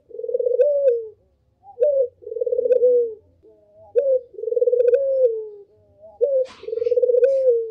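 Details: Spotted dove (burung puter) calling as a lure, a steady series of quavering low coos with falling tails and crisp short upslurred notes between them, four cycles in a row; one faint rustle late on.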